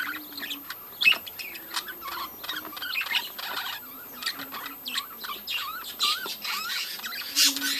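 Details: Budgerigars in a breeding colony chirp and warble in overlapping bursts, short tweets and squeaks from several birds, with a few soft low hums and taps.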